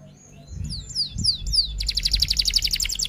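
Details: F1 canary song in 'rol tembak' style: four or five sharp, high downslurred notes, then a fast, even, high-pitched roll of pulses that continues to the end over faint low noise.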